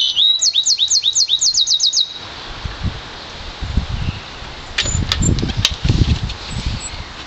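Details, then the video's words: Yarrell's siskin mule, one year old, bred from an intensive green Fife canary: about two seconds of fast repeated high sweeping notes, then quieter clicks, rustling and brief faint chirps. "Yarrell's Siskin mule"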